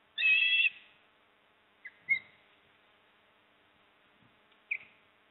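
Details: Osprey at the Port Lincoln nest on 26 September 2024, father bringing a fish and mother eating: one short, bright whistled call, followed by a few faint clipped notes with quiet between.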